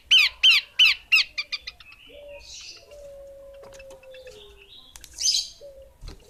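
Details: Female Horsfield's babbler: a burst of loud, harsh, falling notes that fade into quiet ticks, with a faint steady whistle and a rasping noise after.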